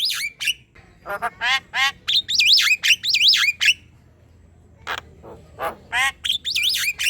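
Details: Javan myna in full song, used as a tutor recording to train other birds and prompt them to sing: harsh ribbed squawks mixed with looping whistled notes that rise and fall, delivered in rapid bursts with short pauses.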